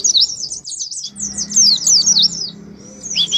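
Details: Ngalas song of the oriental white-eye, meant to spur pet birds to sing: fast, high, scratchy twitters, a short pause, another rapid run, ending with a few drawn-out sliding whistles.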